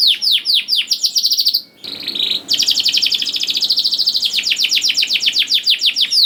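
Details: Young canary song used as a lure to get other canaries singing: rapid descending whistled sweeps repeated in series, a brief pause, then a long fast trilled rattle of dense high notes.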